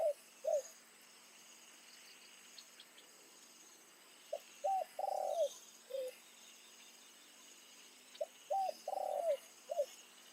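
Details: Spotted dove used as a decoy bird, cooing in the evening to draw in wild doves. Three-part cooing phrases repeat about every four seconds: short hooted notes, then a longer throaty coo that slurs downward, with faint insects behind.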